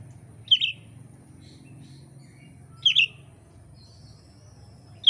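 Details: Oriental magpie-robin (kacer) from Indonesia, used as training material for songbird keepers: three short, sharp chirps, spaced roughly two seconds apart, each a bright little burst over a faint low hum.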